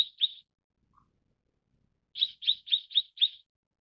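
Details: Mrs. Gould's sunbird calling two high chirps, a short pause, then a tight series of five sharp, evenly spaced chirps.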